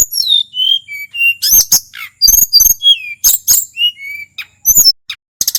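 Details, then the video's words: Energetic song of a wild male tledekan from Merapi, a stream of high downslurred whistles alternating with loud buzzy, crackling bursts and short ticking notes, each phrase different, continuous over several seconds. "Suara asli tledekan gunung merapi FULL GACOR"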